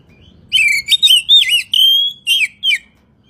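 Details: Oriental magpie-robin (kacer) singing a masteran song for morning and evening: loud, clear whistled phrases of about seven notes with warbling slurs and a long level whistle in the middle, over near silence.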